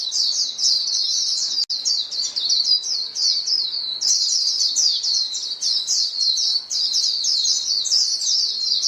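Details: Calling white-eye flock, the birds answering each other with quick, piercing high twitters. The chirps crowd together in an unbroken stream with one short silent cut early on.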